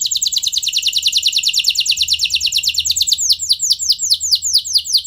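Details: Stimulating song of a canary for getting other canaries to sing long rolls: an extended, fast rolling trill of high notes that slows into a run of distinct downslurred notes.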